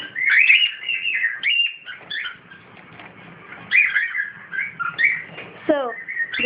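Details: Caged pet cockatiel with its partner, giving a lively run of harsh chirps and shrill whistled notes in bursts, some short and rising, with pauses between them; a person talks nearby.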